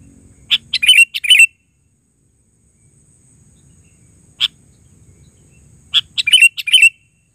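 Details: Sooty-headed bulbul giving rapid, bubbly chirped phrases, a busy burst at the start, a single note mid-way, then another quick run of four or five notes near the end.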